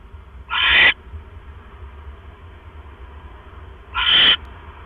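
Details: Two rough, hissing screeches roughly three and a half seconds apart from an owl whose mate has brought it a rat, 7:24 PM, October 18, 2015. A faint hum runs between the calls.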